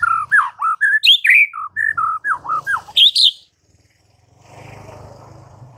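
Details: Morning white-rumped shama song to make rival shamas answer straight away: a lively series of choppy, whistled notes, some swooping high, followed by a soft low rumbling background.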